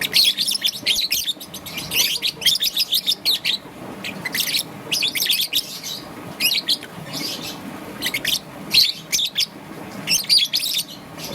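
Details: Young peach-faced (rosy-faced) lovebird, green and yellow, chirping in the morning: rapid, shrill, slightly harsh high-pitched chirps in bursts of several notes with brief pauses.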